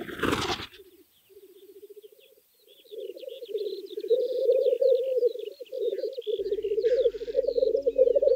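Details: Black grouse lek in the Scottish Highlands at early morning in spring, with males displaying and fighting for females' attention. Low, rolling, bubbling coos start in short bursts, then merge into a long continuous warble. Faint higher chirps sound above.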